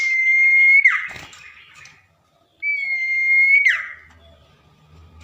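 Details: Night-time song of a tame common iora: two long, clear whistles at a steady pitch, each finishing in a falling slur, with a quiet pause between and faint low hum afterward.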